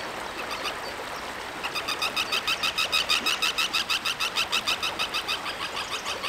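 A common tern gives a fast, steady series of sharp, harsh 'kik' notes, about three a second, over a rushing background of wind or colony noise.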